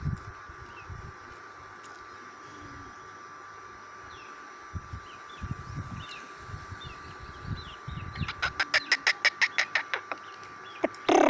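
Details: Black francolin (kala teetar) calling in Sindh, Pakistan: after quiet with scattered faint chirps, a fast run of harsh, clipped broadband notes, about five per second, ends the recording over a steady background hum.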